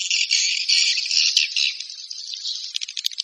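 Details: A swiftlet calling sound used to lure swiftlets: a dense, buzzy, high chittering that runs almost without break, with quick rattling pulses toward the end.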